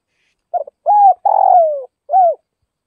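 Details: Single cooing phrase of a spotted dove from northwest Vietnam: two quick soft notes, a smooth arched coo, a drawn-out buzzy coo sliding downward, then a short closing coo, with no background noise.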